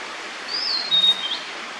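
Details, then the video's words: Blue-and-white flycatcher singing at close range, hidden in maple leaves about 15 m up, at the lower car park below Takasumi Shrine, Mount Hiko, Soeda, Tagawa, Japan, 30 April 2023 08:20; a single loud, thin, high whistled phrase, briefly rising then level, over steady hiss. "オオルリ さえずり"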